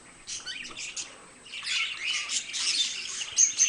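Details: Pet budgerigars start softly with scattered scratchy chirps, then build into louder, dense warbling chatter, ending with a couple of clear, high pure whistles.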